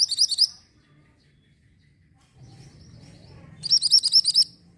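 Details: Mantenan orange bird song for tutoring white-rumped shamas: two bursts of high, rapid chirps, the second a run of about seven notes, separated by quiet hum.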